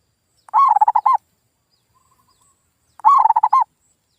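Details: Lure call of a zebra dove, used to prompt local birds that have stopped calling to respond: a pair of brief, throbbing coo phrases with rapid pulsed notes, separated by a long quiet gap.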